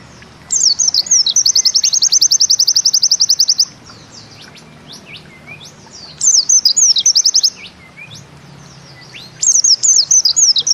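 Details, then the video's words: Bustomi-type pleci (white-eye) singing in the 'nembak ziperrr' style: high, thin bursts opening with downslurred whistles and running into a fast, even zipper-like trill, repeated in three phrases separated by short pauses. "Bustomi NEmbak Ziperrr Mudah DI Tiru"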